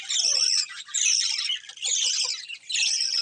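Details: Colourful budgies chirp in high, scratchy warbling bursts, the chatter swelling and easing roughly once a second.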